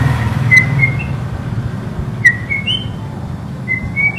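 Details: White-rumped shama singing a short run of clear whistled notes, each a brief slide held near one pitch and climbing step by step, set against a steady low hum.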